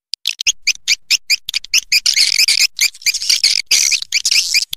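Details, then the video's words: Lure call for roosting edible-nest swiftlets: repeated short high chirps at first, building into dense overlapping buzzy twitters with a two-toned, warbling quality. "SUARA BURUNG WALET PANGGIL INAP"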